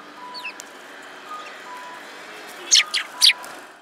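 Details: Sparrows on 22 February 2017 give a few faint chirps early on, then three loud, harsh, quick chirps near the end, with soft tonal hum in the background.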